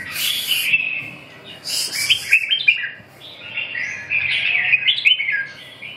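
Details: Red-whiskered bulbul delivering a series of rich, warbling phrases of rapid chirps and slurred whistles, separated by brief gaps, with a faint steady hum underneath.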